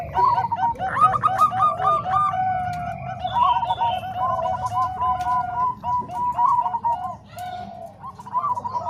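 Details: Tutor recording mixing Bangkok and Cemani Kolbuntet zebra doves: dense chorus of staccato, bubbling coos from several birds, phrases overlapping almost continuously, with faint higher chirps and low hum beneath.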